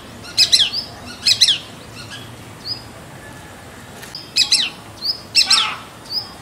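A Shikra gives shrill, harsh paired notes, several times over a few seconds, with brief thin whistles between bursts and a quiet background.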